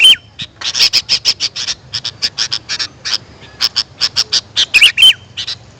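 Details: Sooty-headed bulbul sounds played to call in wild birds: a dense run of short, sharp chirping notes about five per second, with a few whistled, slurred notes near the start and end, over a faint low hum.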